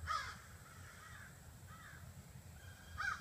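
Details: Evening roost gathering of about 30 to 40 crows in trees before a house: a sharp caw at the start, fainter distant caws in the middle, and another clear caw near the end over low hum.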